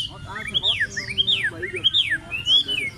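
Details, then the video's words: A pair of Chinese hwamei singing at a market, drawing a crowd: loud ringing whistled phrases, each rising then sweeping steeply down, repeated about every half second, with faint crowd murmur beneath. "Cặp chim họa mi cất giọng thu hút ngay đám đông"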